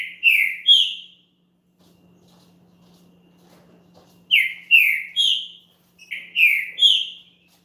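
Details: Champion green-winged saltator song meant to warm up a rival: three phrases of two to three loud, slurred descending whistles, separated by pauses of two to three seconds.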